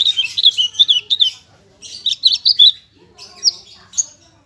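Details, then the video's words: Branjangan parva singing full isian: warbled, buzzy high phrases in short bursts separated by brief pauses. "Masteran Branjangan !! branjangan parva full isian nembak nembak suara jernih"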